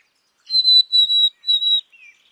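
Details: Black-capped chickadee singing three high, pure whistled notes in quick succession, the last slightly wavering, followed by a soft, lower-pitched note.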